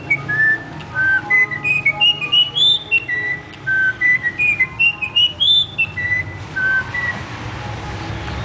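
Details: A Campo troupial sings what is presented as the national anthem: clear, fluty whistled notes in quick rising and falling phrases, some sliding up, with a faint background hum.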